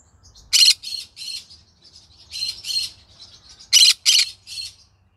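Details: Green-cheeked conure singing in the evening, harsh loud squawks in clusters of two or three, separated by softer chattering notes, in a quiet room.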